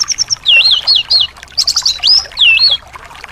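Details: Anis (thrush) singing, played to coax a silent bird into song: continuous high whistled phrases with looping, wavering notes and quick trills, over a faint low background hiss.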